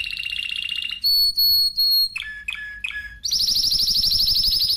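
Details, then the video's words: A Spanish timbrado canary sings a fast trill, three pure sustained whistles, a few paired chirps, then a loud continuous rolling trill. "Timbrado تغريد جميل الكناري تيمرادو الإسباني"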